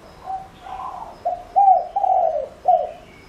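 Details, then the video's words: Spotted dove acting as a decoy with its lure call for attracting other doves: faint soft notes lead into a clear four-note husky coo phrase with a long downward-sliding note. "Cu gáy mồi cây GÁY GỌI cực hay kích bổi nhanh nổi hiệu quả nhất"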